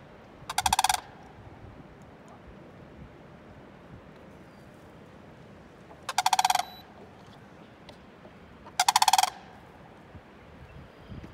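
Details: Sandhill crane on 5-3-20 giving three loud, rolling, rattled calls, each under a second long and several seconds apart, over a steady low rumble of wind or distant noise.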